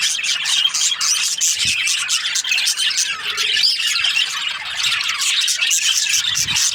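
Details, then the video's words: Budgerigars kept as breeding pairs, a flock chirping together: dense, continuous high twittering and chattering warbles with many overlapping voices, steady throughout with no pauses. "Budgies parrot chirping sounds | breeding pairs"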